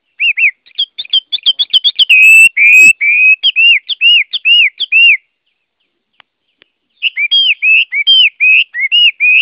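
A Chinese hwamei sings loud, rich whistled phrases of slurred and repeated notes, with a brief pause before another varied burst.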